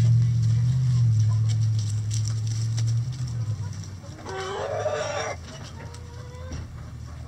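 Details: A rooster at a chicken rescue coop on a sunny day gives a short, hoarse crow of about one second after a stretch of low humming. A faint thin call follows it.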